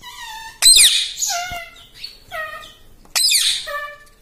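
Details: Talking pet ring-necked parrot producing speech-like mimicked phrases: short harmonic syllables falling in pitch, broken by two loud harsh screeches.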